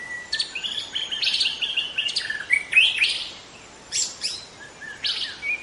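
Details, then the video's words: Wild young white-rumped shama in forest producing bright, sharp chirps and short warbled notes in quick bursts, separated by brief quiet gaps. "Kicau murai muda hutan"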